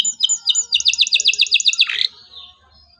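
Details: Local canary singing to prompt young birds to learn: three quick downslurred whistles, then a fast, even run of repeated high notes, ending in a harsh falling note that fades out.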